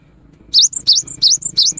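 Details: An energetic cinereous tit sings as a lure for the rainy season, with four quick, piercing two-part phrases, each a dipping whistle and a short high tag.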